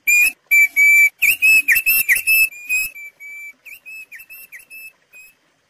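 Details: Singing Thick-billed white-eye, recorded for luring and training caged birds: loud, steady, high whistled notes in quick succession, some bent or buzzy, softening into short clipped whistles spaced irregularly toward the end.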